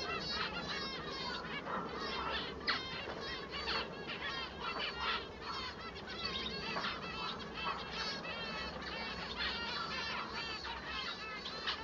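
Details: Bengalese finch male (manon) singing, his song distinguishing him from females: busy, unbroken warbling of buzzy, harmonic chirps and fast trills, steady and loud throughout.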